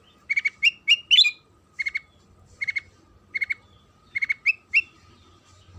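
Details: Sooty-headed bulbul song played as a lure to get other bulbuls singing: crisp, paired whistled notes in short regular groups, with some rising slurred phrases, set against a faint steady hum.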